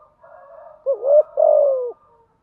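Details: Spotted dove song, used as a decoy to spur newly caught doves into cooing: a faint steady hum, then one mellow coo phrase, a brief wavering note and a longer sustained one that slides downward.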